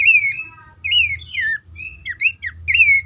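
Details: Horsfield's babbler calling, a lure for caged birds that are stuck, stressed or reluctant to sing: clear whistled phrases, some rising then falling, others descending, repeated in short bursts with brief gaps.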